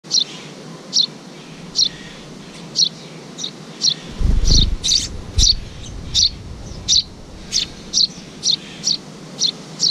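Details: Eurasian tree sparrow at a nest under the roof of a house, a parent flying in to two chicks; short high chirps repeat steadily about every half second, with a brief low rumbling thud midway.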